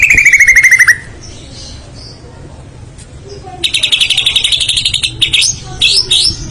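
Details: Murai batu (white-rumped shama) singing full isian: a fast, falling trill, then a quiet gap with faint soft notes, then a long, buzzy, rapid high trill and sharp whistled notes.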